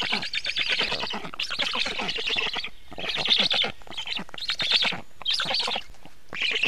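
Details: Nest feeding of black stork on a June 2017 evening: rough, wheezy rattling calls in about five bursts, each roughly a second long, broken by short quiet gaps.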